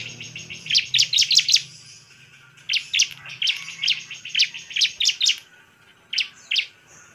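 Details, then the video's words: Bar-winged prinia giving its bait song to stir rival birds: a fast cluster of high chips, then spaced single sharp notes and short pairs, with a soft low hum in the background. "suara pancingan CIBLEK GACOR biar ngamuk dan ngotot"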